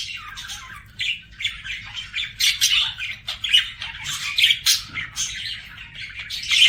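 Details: A pet budgerigar chatters steadily, mixing rasping squawks, clicks and short whistled notes in quick irregular bursts over nearly seven seconds.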